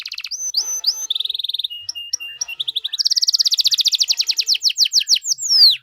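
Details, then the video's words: Canary in full 'gacor' song, ornate style to make other canaries respond: short whistled notes, a steady pulsing trill and a flatter buzzy section, then a loud fast trill ending in swooping slurs. "KENARI GACOR DOR CENGKOK MEWAH BIKIN KENARI LAIN LANGSUNG RESPON BUNYI GACOR"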